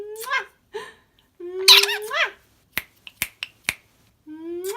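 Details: Pet lorikeet indoors making its clicking noise: rising whistled notes with squeaky chatter, then a run of five sharp dry clicks, then another rising whistle.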